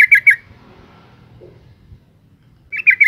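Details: Female yellow-vented bulbul calling to stir males into sound: a quick chattering burst of about five bright notes near the start, a long quiet gap with faint low hum, then another rapid burst at the end.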